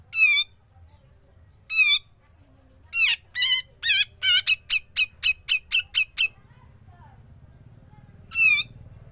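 Grey-cheeked bulbul giving harsh, nasal rasping notes, then a fast run of about ten clipped, chattering notes, with a single rasp after a pause.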